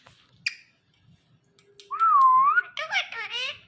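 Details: Ring-necked parakeet, a talking bird, imitating sounds: after a quiet pause comes a wavering whistle that dips and climbs, then a burst of rasping, chattering notes with soft voices in the room.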